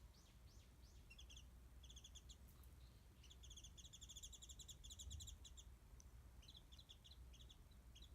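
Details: Warbling white-eye calling from high above a garden feeding place for mandarin oranges, a little far off, smartphone recording; upward-sweeping chirps open, then long runs of fast, thin, high twittering over a constant low hum.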